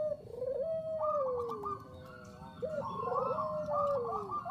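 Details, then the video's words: Perkutut bangkok (zebra dove) singing as a lure: gently falling drawn-out coos and stepped rising phrases, fainter and set against a background hiss. "SUARA PERKUTUT BANGKOK GACOR AMPUH UNTUK PANCINGAN"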